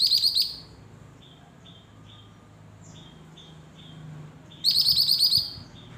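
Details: Recently purchased caged lesser green leafbird in song. A brief burst of rapid high trills is followed by soft, short whistled notes at a steady rhythm, then another loud trilled burst of about a second. Low background hum.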